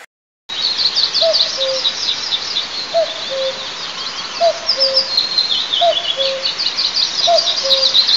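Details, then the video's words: Common cuckoo recorded by an eagle nest camera in the oil-producing districts of south-east Tatarstan, Altynychi, on 9 May 2024. It gives five two-note cu-coo calls, each falling from the first note to the second, about every one and a half seconds, over dense high chirping from other birds. "Кукушка развлекает спящую Нову"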